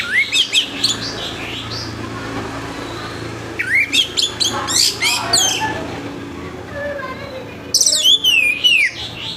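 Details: Orange-headed thrush singing harshly in the morning, used to stir other thrushes into song: bursts of loud, rising and falling whistled and scratchy notes in quick runs, separated by quieter gaps with faint background chatter.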